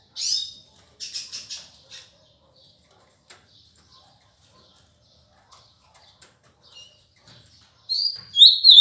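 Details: Ultramarine grosbeak singing in the Paraná song style: high, bright chirped notes in short bursts, with a pause in the middle and a louder burst of notes at the end.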